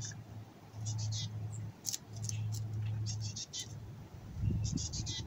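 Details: Raspy fledgling-style begging from an adult female black-capped chickadee, which the male feeds before nesting season; rapid series of rough, hissing bursts in runs of three to five, over a steady low drone.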